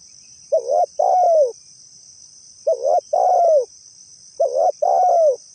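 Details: Spotted dove cooing for use as a lure: a mellow two-part stutter and a long falling coo, repeated three times roughly every two seconds, with a steady shrill background drone.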